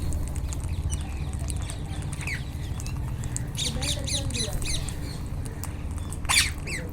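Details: Indian ringneck parakeets in the wild giving scattered harsh squawks, a cluster in the middle and one loud shrill cry near the end, over a constant low rumble.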